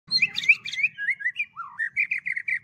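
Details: Kept white-rumped shama of the Medan type, reared with special care and aroused to full song: a rapid run of varied warbled and slurred whistled phrases, dropping to a low note, then rising into repeated bright chirps, in a quiet setting.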